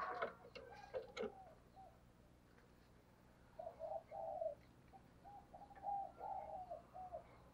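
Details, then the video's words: Spotted dove decoy cooing to stir up wild birds. Clicks and knocks open the recording, then after a pause come soft grouped coo phrases, low and hollow, repeated twice in the second half. "Chim Cu Mồi Gù Thúc Bổi Nghe Hăng Nên Và Rất Siêng Gáy"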